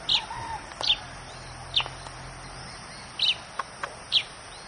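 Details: Chestnut-shouldered petronia, formerly called the Yellow-throated Sparrow, near a camp in Goa: five short, sharp, high chirps spaced irregularly about a second apart, some doubled, over faint steady insect hiss.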